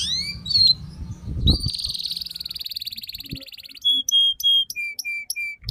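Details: Canary song used to tutor young birds: swept notes, a long buzzy trill, then a row of clear whistled notes stepping down in pitch, with a low thump and faint background noise.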